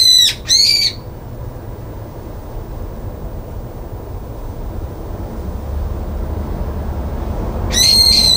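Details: Brown-eared bulbul on a balcony, 9 February 2022, crying out after being kept off the feeder: two short harsh squawks open the recording, then a long quiet gap, then another strident shriek at the end.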